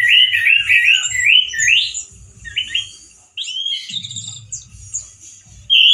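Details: A male orange-headed thrush sings with a loud, coarse, wild-sounding voice: a rapid chain of looping whistled notes, short squeaky bursts and a pause, then high thin phrases, all over a steady low rumble.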